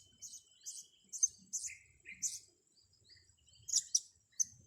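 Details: Blue-crowned hanging parrots, young birds in training: irregular high, sharp chirps with a couple of lower, softer notes between them and faint low background noise.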